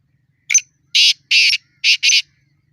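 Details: Calling wild black francolin in a challenge or fight, one complete phrase: a brief clipped note followed by four loud rasping, buzzy syllables, the final two in a quick pair, with almost silent surroundings.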